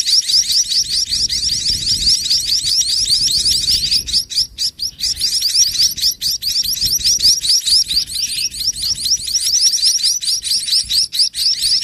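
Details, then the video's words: Toward nightfall a mother sparrow feeds her young heavily so they will not be hungry overnight; long unbroken stream of high, quick rising chirps, a few per second, dipping briefly midway. "MENJELANG MALAM INDUK BURUNG PIPIT MAKIN GENCAR MENYUSUI ANAK ANAKNYA"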